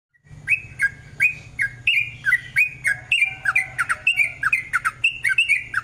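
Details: Sooty-headed bulbul in long rapid 'ropel' song, used as a lure to make other bulbuls sing: quick bubbly whistled notes, each dropping or rising sharply, tumbling on almost without pause, with a faint low hum beneath.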